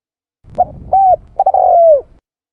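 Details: Tekukur, or turtle dove, lure call: a short soft note, a rounded coo, then a quick double stutter running into a long mellow coo that drops in pitch. The surroundings are quiet.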